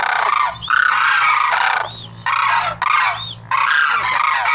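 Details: Sarus crane calling: loud, harsh trumpeting bursts rich in harmonics, about three long blasts separated by short gaps, with brief upward-sweeping notes between them.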